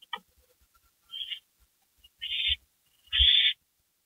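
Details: Owls at a porch shortly after midnight in early May 2012: a brief click, then three harsh hissing screeches that grow longer and louder toward the end, with low thuds.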